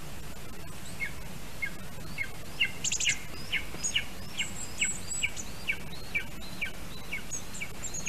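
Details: Lesser spotted eagle at a Latvian nest, 1:24 PM, July 25, 2019, as the adult male brings a vole to the chick; a quick series of short, high yelping notes, about two per second, over steady low wind rumble.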